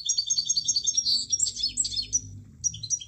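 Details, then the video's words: Javan munia singing a dense stream of high, squeaky chirps and twittering notes with brief slurred whistles, nearly continuous before a short break, over a soft low background hum. "Kicauan Burung Emprit | Emprit Lain Pasti Ikutan Berkicau"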